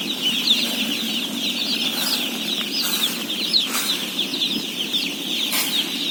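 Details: Shrill massed peeping of about 17,000 day-old chicks during feeding, continuous and high, with a low hum underneath and a few brief rustling bursts.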